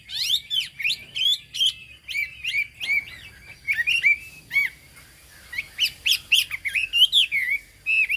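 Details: Song of a Chinese hwamei: bright, varied whistles and slurred notes in short bursts, with a brief pause midway before the loud, ringing phrases resume.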